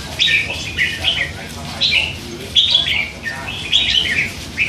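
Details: Three-month-old hand-raised red-whiskered bulbul in a cage, chattering with song phrases: rapid whistled notes bouncing up and down in short bursts, nearly continuous.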